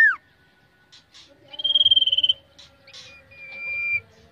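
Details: Common iora kept as a contest bird and undergoing mental training: a quick falling note, soft clicks, then a rapid buzzy trill followed by long thin level whistles, repeated notes fading out near the end.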